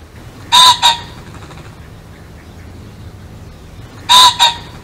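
A pheasant gives a loud, harsh two-note call, a long burst then a shorter one. It repeats once after about three seconds over a low background hiss.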